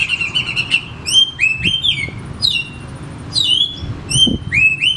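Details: Kacer, the oriental magpie-robin, singing as a lure for a lazy caged bird at home: clear slurred whistles that sweep up and drop, with sharp high overtone notes, given in quick bursts every second or so over low hum.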